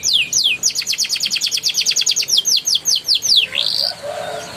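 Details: A canary sings a lure song meant to prompt canaries that have stopped singing: a fast, bright roll of repeated downslurred notes, about six per second, high and sweet, ending in a buzzy slide, with nothing else heard.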